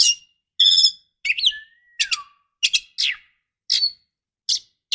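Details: Female white-rumped shama calling to a male: series of sharp clicking chips and harsh notes about once a second, with one soft long whistle gliding downward.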